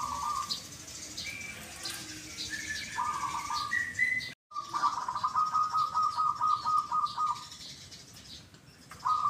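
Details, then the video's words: A Zebra dove gives its 'kuk, kuk' call twice over, a run of quick, beaded coos at mid pitch, with higher chirps and twitters from other small birds in the background. "PERKUTUT YANG SUARANYA KUK, KUK /KUK 2 / ( DUA) KALI"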